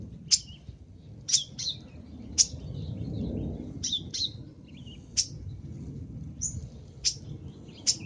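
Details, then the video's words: Cendet (long-tailed shrike) in active gacor singing: sharp, high scratchy notes spaced irregularly, some paired, with brief soft chatters between, over a steady low rumble. "MASTERAN BURUNG CENDET FULL ISIAN GACOR"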